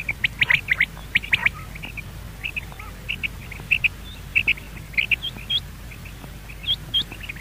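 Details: A common quail (Coturnix coturnix) calls in short, sharp, high clipped notes in quick irregular bursts and small groups over a faint steady background hiss.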